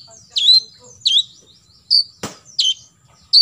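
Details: Olive-backed sunbird singing 'tembakan isian' shots, recorded as a model for competition birds: five strong, high, falling notes spaced about half a second apart, interrupted by one sharp broadband click.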